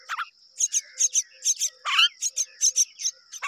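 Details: Mynas raising their young as a pair. A busy run of rapid, harsh chirps, about two to three a second, some dropping into lower raspy squawks, over a steady shrill background tone.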